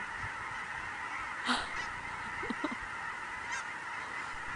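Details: Migrating geese gathered in great numbers on Sauvie Island in October 2012: a thick, unbroken mass of honking calls, with a few short, louder honks and brief bursts of noise close by.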